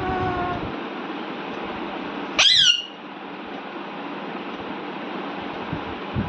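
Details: Pet Alexandrine parakeet making a happy sound while talking with its owner indoors: one brief, loud, harsh screech over a steady background hum.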